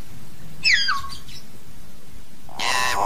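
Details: Common hill myna calling to gather the flock: a bright whistle sliding quickly downward with a short trailing flourish, then after a pause a loud, harsh, broad squawk.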